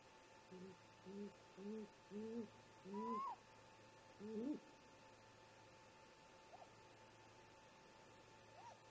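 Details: Around 04:25 MDT in July, a great grey owl pair converses at the nest with six low hoots that grow louder, a higher rising whistle, then a pause broken by two faint, thin whistled notes.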